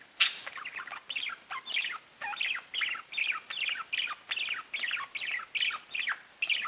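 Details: Chirping pet budgies: a sharp opening note, then a steady series of short, down-slurred, chattering phrases repeated roughly every half second throughout.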